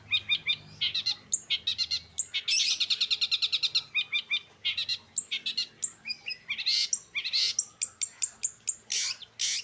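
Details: Varied late-afternoon song of a long-tailed shrike: scratchy chattering notes, a rapid buzzy trill, and loud harsh, sweeping phrases mixed together.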